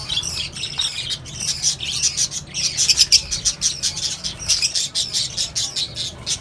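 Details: Mixed aviary colony of lovebirds, cockatiels and budgies: busy chorus of shrill chirps and scratchy squawks from many birds, rising in intensity around the middle, with occasional wing flutters.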